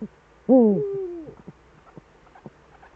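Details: A Eurasian eagle-owl in the Eifel, at 18:47 on 11 March 2013 with both owls of the pair back, gives one drawn-out, slightly hoarse hoot that slides downward over nearly a second, followed by faint clicks and rustles.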